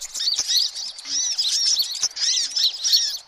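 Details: Noisy sunbirds used as a lure sound for attracting all kinds of sunbirds; dense, overlapping high thin chirps and twitters with short down-curving notes, several birds calling at once, continuous with brief dips.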